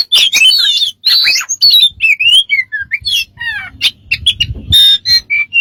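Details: Mixed bird calls: squawky bursts, descending whistles and a rapid series of falling notes, ending in rough buzzy chirps, with faint low background noise.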